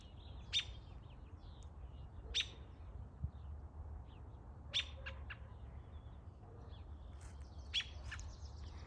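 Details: An American robin singing on October 15, 2024 gives sharp, high chirped notes, singly or in quick pairs, about every two seconds over a steady low rumble of background noise.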